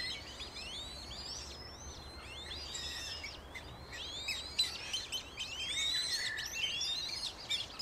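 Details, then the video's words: Eurasian coot family with five chicks in Beverwijk, the Netherlands, 23 days on from an earlier brood of seven; many thin, high peeping notes, swooping up and down, overlap constantly in a steady chorus. "Eurasian Coot with 5 chicks"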